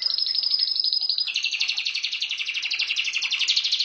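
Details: Pet canary pouring out a fast, buzzy rolling trill, notes repeated about four times a second at high pitch.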